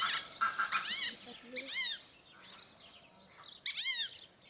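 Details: Fulvous whistling ducks in a zoo flock at Upie, Drôme, France, uttering loud arched whistling squeals in three main bursts, with faint lower background murmurs.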